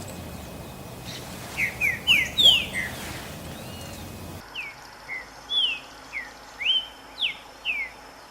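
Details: Green-winged saltator in nature: a series of short, sharp downslurred whistles, first a quick cluster over a noisy background, then more spaced notes about every half second in a quieter setting.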